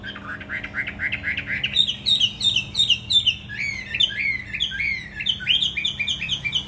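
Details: Hwamei, a tamed fighting bird caged in Hà Nội, Vietnam, sings a lively stream of short, bouncing whistled notes, nearly three per second, growing louder and more varied midway.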